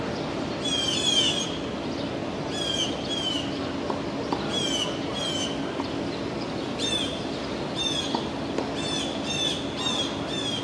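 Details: On June 22, 2022, in Tompkins Square Park, East Village, Manhattan, two blue jays mob a two-month-old red-tailed hawk fledgling. They give harsh, scratchy jeer calls in irregular overlapping bursts every second or two, over a low city hum.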